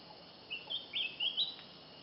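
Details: Spectacled Bulbul in Thailand, recorded for xeno-canto: a short run of thin, high chirps in several separate bursts, some slurred upward, over a quiet background.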